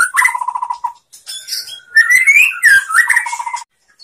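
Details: White-rumped shama song used as a master recording to train other shamas, rich varied phrases: a fast repeated note trill, long clear whistles, sliding rising notes and another rapid trill.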